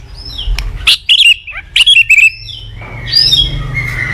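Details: White-rumped shama song used to train and provoke other shamas: short bursts of bright whistles and buzzy notes separated by gaps, over a low steady hum and background noise.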